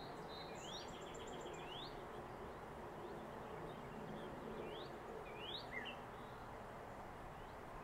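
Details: At a nest site in southwest Virginia, 7 March 2021, a northern mockingbird gives a quick series of high notes followed by several faint upward-sweeping whistles, spaced a second or more apart, against constant broadband noise.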